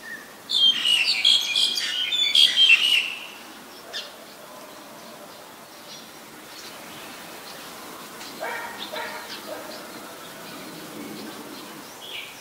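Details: Black-collared starling (Gracupica nigricollis) in Ubon Ratchathani, Thailand, 25 December 2019, gives a loud three-second burst of harsh chattering notes mixed with whistles, then scattered quieter squawks and chips over faint background birds.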